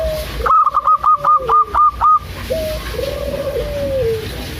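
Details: A female local zebra dove calls the male in a rapid series of about eight loud, clipped notes, while lower, drawn-out coos sound underneath and afterwards.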